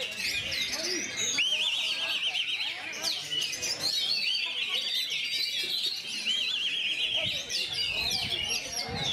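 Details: Oriental magpie-robin (kacer) singing loud, high, wavering trilled phrases that are repeated several times. Other birds chirp throughout, and people's voices murmur in the background.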